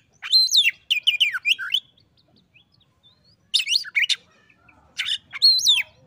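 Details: An oriental magpie-robin replies to a rival with bursts of rich, twisting whistles and sweeping phrases separated by short pauses, clear against near silence.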